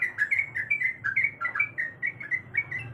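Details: Female sooty-headed bulbul calling a male: quick, bright chirping notes at an even pace, roughly four or five per second, over a soft low hum.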